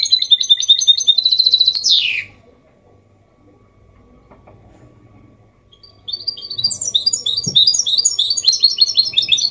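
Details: Goldfinch hybrid singing clean 'copia malaga' song to stimulate males and teach chicks; a short burst of high twitters ends in a descending buzz, a long quiet gap, then lively chattering twitter returns.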